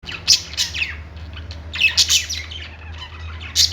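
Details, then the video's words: Budgerigars singing on a perch in a pet store: dense bursts of high, sharp chirps and short scratchy notes from several birds at once, with a steady low hum underneath. "budgies singing on perch | parakeet chirping sounds in pet store"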